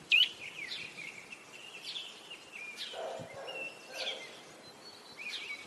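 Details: Eurasian nuthatch (Sitta europaea) at its nest in Parque das Pedras Salgadas, Vila Real, Portugal, on 2 April: one sharp, loud chirp, then faint, thin high calls every second or so over soft hiss.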